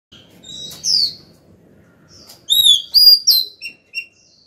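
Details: Female Oriental magpie-robin singing to call the male: a faint opening note, then a bright burst of clear whistled notes. The notes slur up and down, followed by short, sharp, high chips.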